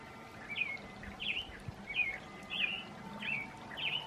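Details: American robin, described as female, singing in the evening: six quick, slurred whistled phrases at even intervals, with a faint steady tone in the background.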